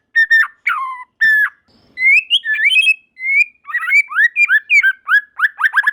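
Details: Murai batu, the white-rumped shama, in song with other birds joining; loud harsh chattering notes open, followed by a rich string of varied whistles, slurs and rapid trills.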